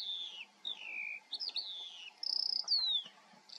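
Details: Eurasian skylark in the Eifel delivering clear descending whistles, a quick rattling trill and sweeping slurred notes in rapid succession, with a low constant hum in the background.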